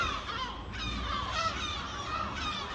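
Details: At a building site in Watford, several gulls give harsh, overlapping, nasal alarm cries without pause after a Harris hawk is released, warning other birds of a predator, over a low background rumble.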